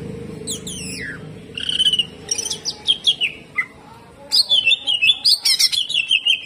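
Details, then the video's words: A greater green leafbird pours out a rapid, varied, harsh-toned song of high whistles, sharp chips and falling slurred notes, with steady background hum; an excited song recording used to train other birds. "CUCAK IJO GACOR HYPER TEMBAKAN KASAR"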